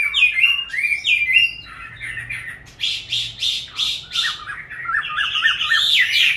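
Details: Caged Chinese hwamei, kept since young and in its fifth year, opens with clear descending whistles, breaks into a few loud harsh bursts, then finishes with a quick series of repeated chirping notes and rising whistles.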